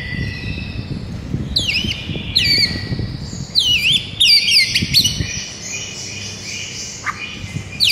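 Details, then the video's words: White-rumped shama morning masteran: sharp descending whistled chips and a sustained high note, moderately soft, against steady low background hiss. "Murai batu BISU seketika NAIK EMOSI dengar MASTERAN PAGI ini"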